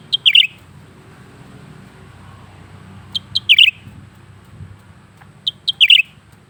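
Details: Lesser green leafbird singing without pause in its cage, three phrases each of two or three short high whistles then a fast sharp chatter, spaced about two and a half seconds apart, low hum beneath.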